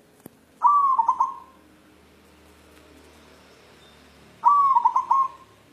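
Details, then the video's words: Two cooing phrases from a white zebra dove of local wild stock seeking a mate, spaced about four seconds apart; each begins with a bright sustained note and trails into quick staccato beats over a quiet background. "Perkutut putih galau mencari jodoh"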